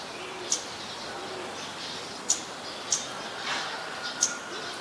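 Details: Scarlet-backed flowerpecker in Ubon Ratchathani, Thailand, 15 March 2021, recorded with a Nikon P1000: four crisp, high-pitched tick notes at uneven gaps over a quiet outdoor hiss.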